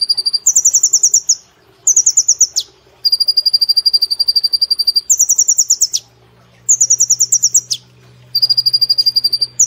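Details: Long, nearly continuous rapid-fire song of a caged brown-throated sunbird, used for training cage birds: rattling high notes alternating between two pitches, with a few downward swoops, and a low steady hum later on.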